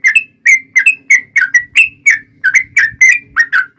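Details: Fast, continuous song of a yellow-vented bulbul, played as a lure to make other bulbuls sing back: loud, bubbly, slurred whistled notes in an unbroken rapid series, about four each second, with a faint low hum behind.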